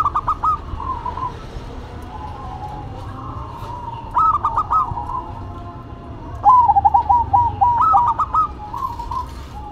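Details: Zebra dove song, a duet between a local bird and a cemani bird: bursts of bubbly, trilled cooing phrases with rapid stuttering notes, repeated several times over a low background hum.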